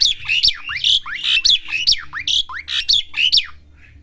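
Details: Young Asian pied starling learning to sing: a run of rapid whistled and squeaky notes, sharp downward and upward sweeps repeated in quick succession for about three and a half seconds, with faint low hum beneath.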